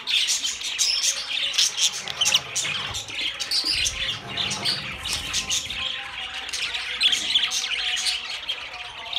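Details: Steady high chirping and scratchy warbles from several budgies, overlapping squeaks throughout and a faint low rumble in the background around four seconds.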